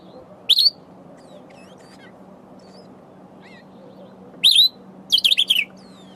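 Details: Sombre greenbul foraging for berries while calling to itself: sharp, high, squeaky upslurred notes, then a rapid, wavering burst of several wheezy notes, with a steady low hum underneath throughout.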